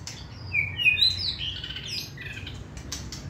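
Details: White-rumped shama, a hand-tamed contest singer, gives a lively phrase of high, sharply slurred whistles rising and falling in quick succession, fading into softer thin notes and faint clicks.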